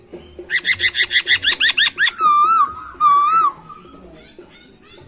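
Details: Captive masked laughingthrush sings a clear run of about ten rapid, evenly spaced rising notes, then two long, loud, slightly wavering whistles. Quiet room background.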